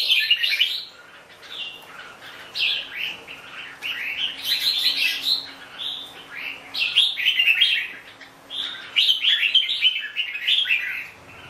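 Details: Red-whiskered bulbul in sustained song. Lively warbled phrases of quick up-and-down notes repeat in clusters every second or two, separated by short gaps, with no other clear sounds.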